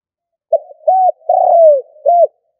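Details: One clear phrase of stuttering 'gù cà lăm' cooing from a decoy spotted dove: a quick low note, a steady arched coo, a long gently falling coo and a final rounded coo, all deep and hollow, with nothing else audible.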